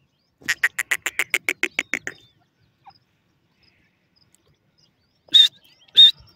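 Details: Partridge (teetar) calling with a fast, even train of about twelve 'tik tik' clicks over under two seconds, then a pause and two loud harsh whistled notes.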